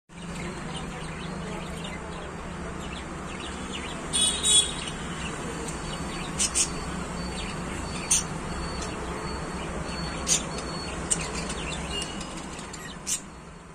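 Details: A white pet budgerigar gives brief, high, scratchy chirps every second or two over a steady background hiss.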